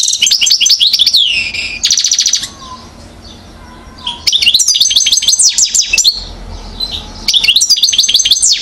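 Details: One-year-old European goldfinch recorded in Mouzaia, Algeria, during 2012. Long passages of lively twittering, slurred descending whistles and quick rattles alternate with a short quiet break before the song resumes vigorously.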